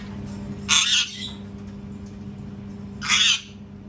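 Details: Loud parrot screams: two harsh, rasping, broadband squawks about two seconds apart, each lasting roughly a third of a second, over a constant low electrical hum.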